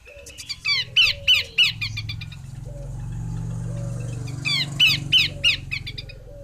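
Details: Female Horsfield's babbler calls in two bouts of rough, buzzy descending notes, each bout five or six notes long, separated by a lull filled with low humming noise.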